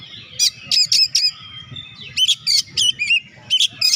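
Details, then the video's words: Energetic Oriental magpie-robin song for stimulating lazy birds: rapid sharp chips and bright whistled phrases in tight rhythmic bursts, faint low hum behind. "BURUNG KACER GACOR.COCOK UNTUK PERANGSANG KACER YG MALAS BUNYI"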